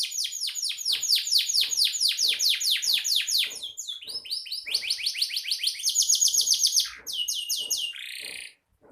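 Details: Canary in strong song, used as a master recording for training songbirds: rapid trills of repeated downward-sweeping notes, several shifting phrases including a buzzy rolling trill, continuous and loud throughout.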